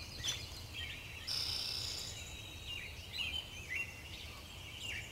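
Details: A Rufous-sided towhee (Eastern Towhee) on Vancouver Island gives short, faint, up-slurred chirps about once a second, over a steady background hiss and a brief high whine.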